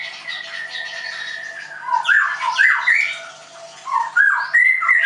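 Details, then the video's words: Indonesian Leuser White-rumped shama, caged at a Tangerang bird school, holds a long steady whistle, then bursts into loud swooping phrases and a high slurred note at the end. "MURAI BATU LEUSER"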